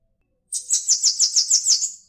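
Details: Bananaquit singing: a quick run of about eight high, thin, buzzy notes, each slurring slightly downward, delivered evenly in under two seconds against a silent background.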